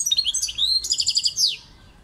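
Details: A short goldfinch phrase: quick chirps rising into a string of evenly repeated, slightly buzzy notes, closing with a bright downward slur, about one and a half seconds long.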